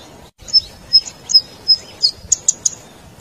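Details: Zitting cisticola lure call for attracting wild birds: a few thin, short high whistles, then a quick cluster of sharp clicking zit notes.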